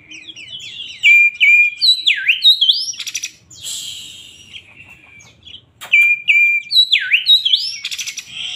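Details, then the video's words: Oriental magpie-robin of the poci type singing agitatedly: a busy stream of high whistled notes, sharp downward sweeps and rising slurs, with rasping bursts, a pause, then the same whistled sequence repeated. "BURUNG KACER poci gacor emosi"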